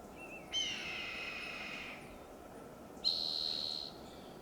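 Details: Red-tailed hawk calling loudly from a high perch after a large fox squirrel meal, cleaning its bill, in Del Monte Forest, California: one hoarse, harsh scream slurring downward for about one and a half seconds, then a thin, steady high tone over constant background hiss.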